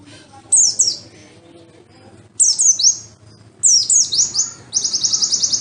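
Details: Oriental white-eye singing, used to stimulate caged birds: three bright bursts of sharp, downward-slurred high notes separated by short pauses, the last ending in a fast, even buzzy trill, over soft background rumble.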